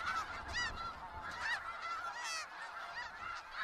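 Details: Flock of snow geese, Skagit Valley: many barking honks overlap, some sharply rising and falling, forming a steady clamor with a faint low rumble.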